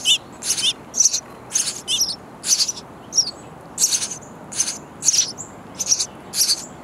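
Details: Hungry nestling sparrows in a bird house nest calling for their parents, who bring insects all day; rapid run of about a dozen high, harsh chirping bursts, roughly two per second, over faint background hiss.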